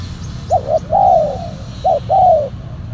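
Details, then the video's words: Silver, black-collared spotted dove used as a lure for wild doves, cooing a crisp pattern twice: two short clipped notes then a long descending coo, the second phrase with one short note before the long one. "PIKAT TEKUKUR SILVER💥 KETEMU BL HITAM, 🔥 POIN KE 2 ,KUK 1 SUARA BESAR"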